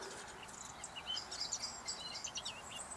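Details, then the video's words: Common blackbird's alarm call in UK countryside under a blue sky: thin, high chinks and ticks scattered irregularly over three seconds, fairly faint against a soft outdoor hiss. "black bird over there giving an alarm call"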